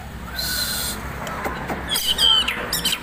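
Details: White-rumped shama, a bird in lively full song: a sliding, falling note, then bright, ringing whistled phrases near the end. Bursts of hissy noise and a steady low hum run underneath.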